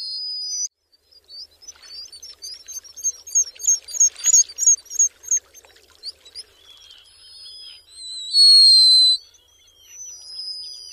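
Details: Black guillemot vocalizing: a rapid run of high, sharp twittering notes, about three per second, fading into overlapping thin whistles and a loud, steady piping note near the end.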